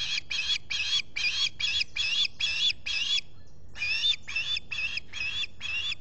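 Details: Osprey at a nest camera at Salt Point in the Finger Lakes, US, on a July 2021 morning, with a visitor at the nest. It gives a rapid run of sharp, whistled chirps, about two per second, with a short break midway.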